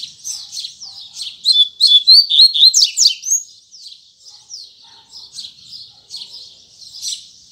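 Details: Firm morning 'tui tui zel zel' song of a double-collared seedeater: a loud, fast cascade of sharp whistled and sliding notes, followed by softer buzzy repeated phrases.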